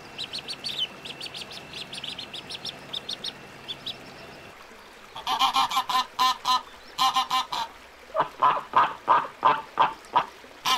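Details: High ducklings' peeps at first, then after a pause loud, nasal, rhythmic duck calls in rapid bursts dominate.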